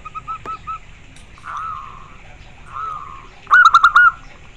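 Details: Local zebra dove: a few short notes, two drawn-out wavering coos, then a loud quick trilled burst of rolling notes near the end, amid a faint hiss.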